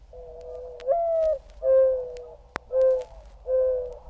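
Mourning Dove giving its soft, hollow cooing song: a low coo, a higher upslurred note, then three steady mournful coos, with one sharp click and faint hum.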